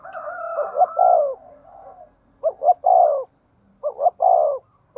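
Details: Decoy spotted dove, 'giọng thổ' voice type: a softer, slightly higher coo phrase first, then two crisp phrases of quick short notes ending in long, deep, mellow hoots.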